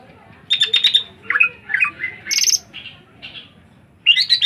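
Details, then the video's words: Bird song of quick stuttering high notes, slurred whistles and a rapid buzzy trill, delivered in short separate bursts with brief gaps. "Cuman burung ngriwik"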